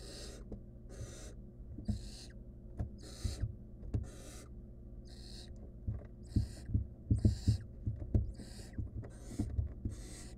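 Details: Barn owl nestling in the wild, nest box camera, trying to eat a stolen rodent alone: about eleven rasping hisses over ten seconds, quickening later, mixed with frequent low thumps.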